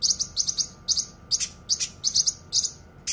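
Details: Cucak kinoi in a dense, sharp song made as a training recording: crisp high chirps grouped in rapid triplets, alternating with strong buzzy bursts, repeated several times a second.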